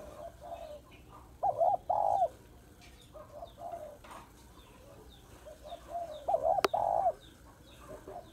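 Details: Female spotted dove calling to excite males: two loud double-coo phrases about five seconds apart, each a short hoot then a longer one, with softer coos between and one sharp click.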